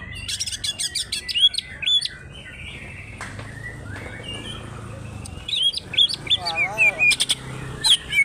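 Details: Wild-origin greater green leafbird from Alas Purwo forest, Banyuwangi, showing fighter behaviour with tail opened: bursts of sharp clicking 'trok' notes, then looping slurred whistles and bright chirps, with a quieter gap in the middle.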